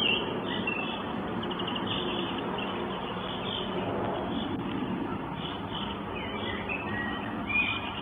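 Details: Northern goshawk chicks begging their mother for food at a nest in Estonia, 24 May 2022, via live nest camera; repeated thin, high whining notes sound through steady broadband hiss and rumble.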